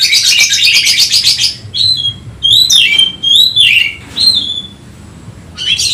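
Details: Oriental magpie-robin, emotional and hunting for a rival, starting with a fast buzzy rattle, then a few loud down-slurred whistles separated by pauses, ending quieter.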